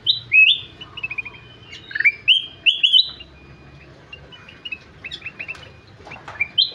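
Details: Ruby-throated bulbul (kutilang emas) in full song: rapid strings of bright whistled notes that step up and down, loud at first and then trailing into softer, scattered chips.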